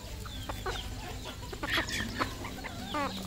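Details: Decoy junglefowl from the area giving brief clucks and a harsh, stacked squawk near the end, over a busy background of other fowl and low rumble.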